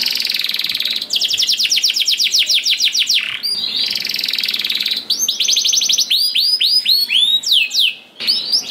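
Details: Canary song played as a lure to make other canaries sing: a fast buzzy trill of repeated notes for about two seconds, then varied whistled phrases, steady tones and curved slurs, with a short buzzy roll near the end.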